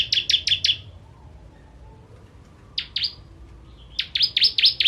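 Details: Ciblek kristal, the bar-winged prinia, used for bird tutoring, giving four quick shrill chips, a silence, two more, then a faster run of seven sharp high notes.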